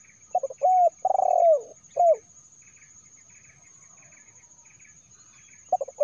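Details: Spotted dove phrase for luring wild birds: clipped notes, a held coo, a rolling descending coo and a short final coo, followed by several seconds of quiet before the next phrase begins.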